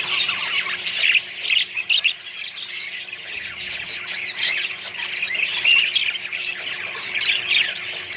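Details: A colony of budgerigars with other birds gives harsh squawks and chattering chirps from many birds. Occasional louder bursts and a thin whistled note appear near the end.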